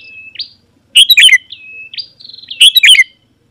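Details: Sooty-headed bulbul in vigorous song, meant to call rival wild bulbuls so they answer and approach. A thin level whistle ends in a quick upslur, then a loud bubbly burst of chattering notes. The pattern plays twice.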